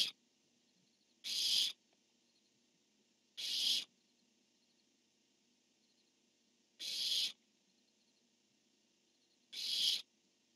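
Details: Pair of barn owls recorded by nest camera, the male calling and the female answering on 10-1-15: four short hissing shrieks at uneven intervals of two to three seconds over quiet background hum.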